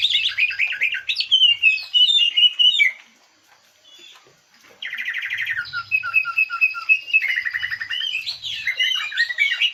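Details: Green leafbird lure song meant to make another bird sing its fillers: varied warbles and trills, a short silence, then long rattling trills and jumbled whistled notes.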